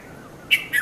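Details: Morning call of a red-vented bulbul at Mount Lavinia, Sri Lanka, recorded 5:30–5:40 a.m. on a Nikon Coolpix P510: a sharp chirp followed by a short, slurred double note, brief and clear against low hiss.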